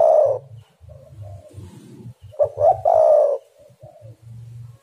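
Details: Spotted dove cooing with a long throaty coo, softer short notes, then a quick double note leading to another long low coo, over a faint steady low hum.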